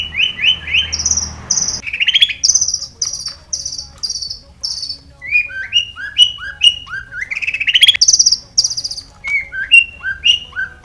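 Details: Varied long-tailed shrike song full of imitated phrases, played to stir captive shrikes into singing: quick repeated whistled notes, rasping chatters and rising and falling slurred whistles in a rapid, changing sequence.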